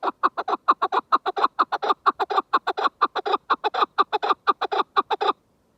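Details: {'caption': 'Chukar partridge calling a loud, fast, evenly paced chain of rough, clucking notes, roughly five per second, stopping abruptly after five seconds.'}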